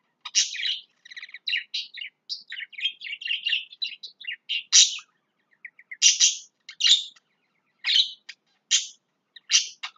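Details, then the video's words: Lovebirds inside their house, set on removing everything from it; rapid series of sharp, high, metallic chirps and short twittering notes, dense in the first half, then spaced about every second, in a quiet room. "Love bird's"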